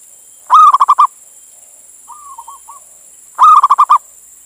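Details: Local male zebra dove calling a female, a lure for other doves: two full pulsed coo phrases, each a held note breaking into four or five quick beats, with soft fragmentary coos between them and a steady high electronic hum.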